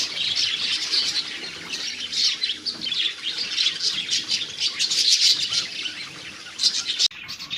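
Budgerigars keep up a dense, busy chatter of high chirps, squawks and warbling notes.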